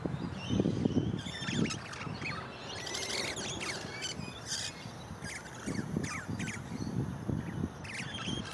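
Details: Two wild musk lorikeets in a big pepper tree, singing and talking: a stream of high squeaky chatter and sharp screeches, irregular and overlapping, over a gusty low rumble.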